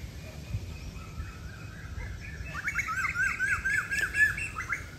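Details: House sparrows calling loudly at a temple in early morning before sunrise, a quick, busy chorus of short bright notes, about two a second, over a strong, steady rush of cool wind.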